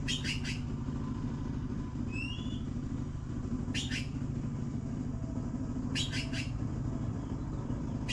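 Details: Blue magpie nestlings waiting for food as the mother arrives: raspy, scratchy bursts in quick triplets, repeated every two to three seconds, with one short rising whistle between, all over a constant low engine-like rumble.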